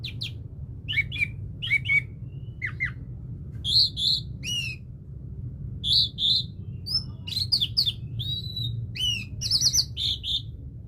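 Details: Orange-headed thrush kept as a pet; lively song of short high whistles, rising and falling slurred notes and quick chirps, delivered in separated bursts over a faint low background hum.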